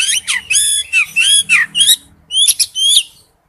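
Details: Male oriental magpie-robin calling to a female, a rapid series of loud, clear whistled phrases with sweeping rising and falling notes, each about a quarter second long, then a brief pause and three more whistles.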